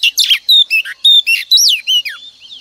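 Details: A female oriental magpie-robin used as a morning decoy to spur males to sing delivers a short string of clear whistled notes and buzzy chirps, about eight separate phrases in quick succession.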